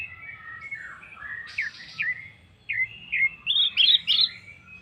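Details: Orange-headed thrush song used to prompt other birds to join in: soft warbling that builds into louder, rising slurred whistles, ending in quick twisting high phrases.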